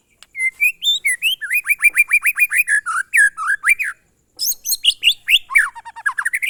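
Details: Glondong, or monotonous, song of a White-rumped shama: steady rapid repeats of bright whistled notes with downward slurs, a brief gap, then a denser burst of varied high whistles.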